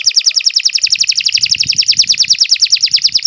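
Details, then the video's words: Canary singing a long continuous song meant for training young birds: a fast, even roll of short downward-sweeping chirps, repeated steadily throughout with no pause. "Kicau Burung Kenari 101 II GACOR PANJANG Cocok untuk Masteran"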